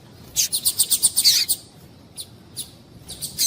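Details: Double-collared seedeater, a male with a female calling, played to stimulate singing: a fast burst of about ten sharp repeated high notes lasting about a second, followed by scattered single chips.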